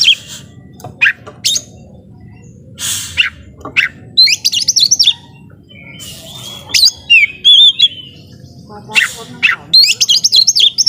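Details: Oriental magpie-robin kept at home, singing loudly to rile up rivals: varied high whistled phrases and rapid chattering trills in bursts, mixed with sharp clicks and short gaps.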